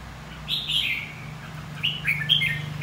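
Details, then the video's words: Red-whiskered bulbul of the white-cheeked type giving contest song to stimulate rivals: two bright warbled phrases, sliding and bubbling, separated by a short pause, over a steady low hum. "Kích chào mào hót đấu.. Kích má trắng hót.. Luyện má trắng hót đấu"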